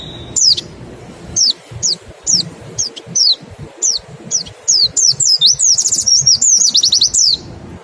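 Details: Mountain white-eye, pleci, in 'nembak' style used to stimulate singing: evenly spaced high, falling chirps about two per second that build into a fast, dense, ringing burst near the end.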